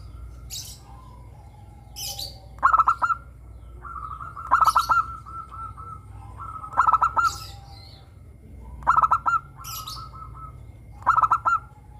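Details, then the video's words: Local zebra dove (perkutut lokal) in the 'suara kristal' crystal-voice style, singing steadily as a lure to prompt other doves to sing: five stuttering, pulsed cooing phrases about two seconds apart, with thin high chirps from other birds between them. "perkutut lokal gacor suara kristal - pancingan perkutut agar bunyi"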